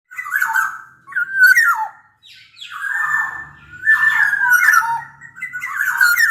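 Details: Black-naped oriole from Sumbawa, a large-bodied local bird, singing phrases used to prompt quiet orioles into song: fluty, slurred mid-pitched notes with harsh overtones, four phrases separated by short pauses.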